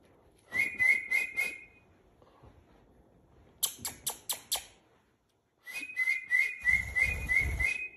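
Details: Rainbow lorikeet during hand-taming and trick training whistling repeated bursts of quick slurred notes, with a series of sharp clicks between and low room noise underneath.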